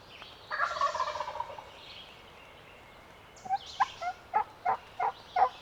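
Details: Male wild turkey gobbling while still roosted in a tree, spring public-land hunt in Pennsylvania; one rattling gobble early, then a quieter stretch and a series of six short loud clucking notes spaced about half a second apart.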